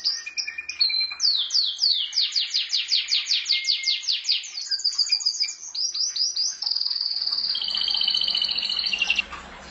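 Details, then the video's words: Canary kept as a pet delivers repeated downward-sweeping whistles at a steady beat, some short chirps, then a prolonged rolling trill over faint low background hum. "Mon canari chant"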